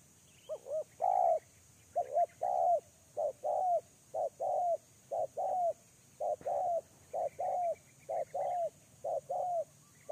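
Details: Spotted dove used as a lure bird, calling in response to a wild dove. It gives a steady run of low, rounded coos, each short note paired with a longer sliding coo, repeated about once a second with little pause, with faint twittering behind.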